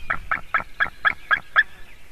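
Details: Near-adult voice of a young White-tailed Eagle at its Latvian nest as a buzzard arrives, morning of 17 June 2019; seven loud, clipped yelps delivered quickly and evenly within two seconds.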